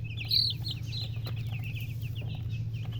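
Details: Baby chickens peep together in a dense flock, with quick high chirps tumbling over each other and one louder, shrill peep early on, above a constant low electrical-like hum.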